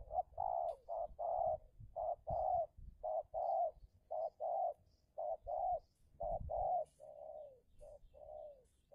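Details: Spotted dove used as a decoy to lure a wild dove during a fierce territorial contest in Indonesia: soft, low hooting coos in short groups of two or three notes, repeated about once a second, with faint rustling below.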